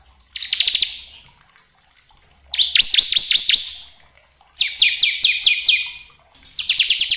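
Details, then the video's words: Bar-winged prinia song used as a lure to provoke other birds into singing: loud bursts of rapid buzzy high notes, some as quick rising sweeps, repeated about every two seconds with short silent gaps. "Pancingan ciblek agar cepat bunyi gacor ngebren"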